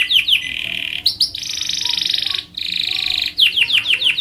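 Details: Canary in long tutor song for luring other canaries: short falling sweeps, two long buzzy steady trills separated by a short gap, then a run of quick descending notes.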